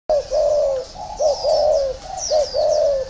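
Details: Spotted dove cooing: short rounded notes, each followed by a longer, steady, mellow coo, a phrase roughly every second, with faint high chirps above.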